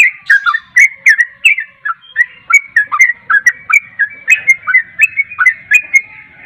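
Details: Caged yellow-vented bulbul pouring out quick 'ropel' song as a lure for a reluctant singer: busy, liquid whistled notes rising and falling in an unbroken, chattering sequence.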